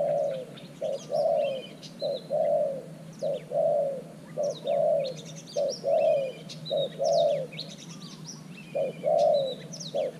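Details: Spotted dove used as a new decoy with an earthen trap to lure wild doves. Continuous low hollow coo pairs, short then long, while small birds chirp and twitter high above.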